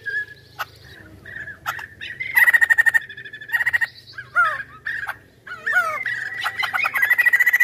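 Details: Chinese hwamei singing actively: quick runs of repeated notes, clear whistled phrases, and slurred notes that rise and fall, with short pauses between bursts.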